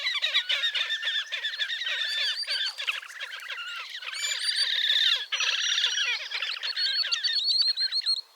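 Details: Wild Slavonian grebe, Gavieze, Latvia, May 2024: an excited, dense trilling chatter of fast nasal squeaks, briefly rising into higher squealing notes midway, continuing almost without a pause.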